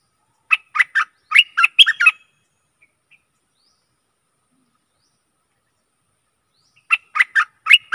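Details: Used to lure aggressive wild birds, this stripe-throated bulbul song has a burst of about eight quick bubbly notes, a long silence, then another chattering phrase of five notes.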